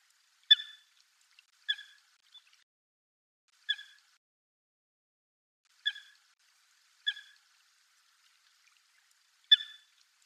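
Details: Wild Eurasian coot giving short, sharp, clipped notes with a ringing harmonic edge, six calls spaced irregularly one to two seconds apart over a quiet background with no other clear sounds.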